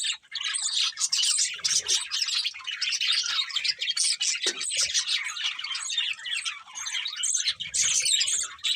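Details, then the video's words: Several budgies chattering nonstop, a thick wash of high twittering, warbled chirps and scratchy notes with little pause, a single low knock midway through. "Beautiful Budgies Chirping Sounds"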